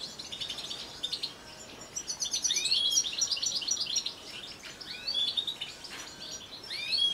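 European goldfinch song: a fast, tinkling jumble of high twitters and liquid trills, with bright rising slurred notes and several birds chattering together.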